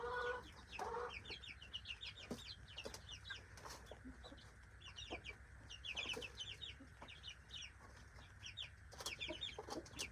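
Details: Backyard free-range chicks at breakfast time during feeding: many high, thin peeping chirps overlapping continuously, with a steady background hum and a brief human voice near the start.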